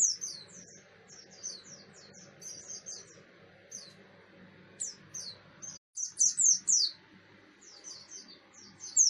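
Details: Buxton's white-eye delivering 'ngalas' song as a lure for other white-eyes: mostly soft, scattered high chirps building to a loud burst of rapid downslurred notes near the end, with steady low background noise.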